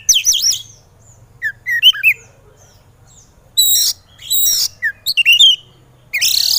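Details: Excited kacer, the Oriental magpie-robin, in a training recording to make lazy birds sing: scattered loud whistles and harsh scratchy bursts separated by pauses, some notes sweeping up and down sharply.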